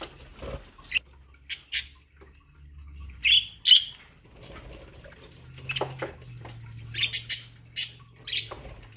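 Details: Pet budgies chirp sporadically while eating corn, with thin high chirps in ones and twos over soft background hum and rustling.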